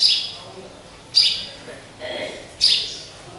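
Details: Caged pet sparrow, which calls often and varies its sounds when hung up high with no people near, gives three bright, sharp chirps spaced about a second apart, each sliding down slightly at the end.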